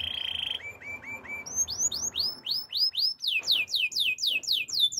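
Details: Belgian canary singing for training: a brief high trill, a few short upslurred notes, then a fast series of rising whistled sweeps that speeds up and grows louder.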